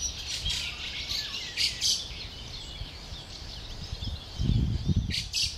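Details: Juvenile fieldfare awaiting parents and food, 20 May 2013; scratchy high calls repeat at irregular intervals, with a thin whistled background, and low thumping noise close by near the end.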